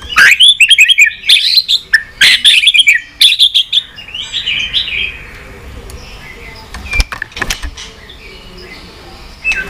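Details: White-rumped shama in full varied song, of the kind used to excite and train other shamas: a loud burst of rapid chirps and warbled whistles for about four seconds, then near quiet with scattered faint notes and clicks.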